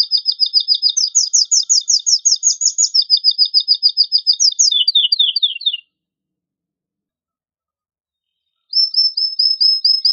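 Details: Male canary singing a strong, excited song to stimulate females and males to mate: rapid trilled phrases of repeated high notes shifting in pitch, then a pause of about three seconds before another trill begins.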